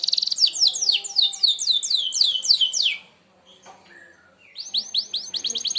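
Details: Canary, merlok style, singing sharp shots for training other birds: a steady run of rapid descending whistled sweeps, a near-silent gap with faint chips, then the sweeps resume.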